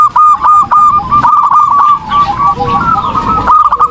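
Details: Zebra dove (perkutut) singing vigorously as a tutor song for training: a dense string of fast, bright, quavering coos, with a few softer, lower notes underneath in the second half.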